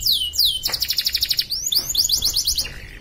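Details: Canary singing for an online competition in Pontianak, West Kalimantan: two long downward-swept whistles, then crisp rapid pulsed trills, more rising sweeps and another clipped trill.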